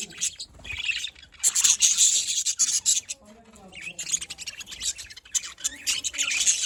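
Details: Afternoon budgerigar chatter from Larkana, Sindh: dense scratchy high chirps and warbles in bursts, loudest in the middle stretch, over a faint low murmur.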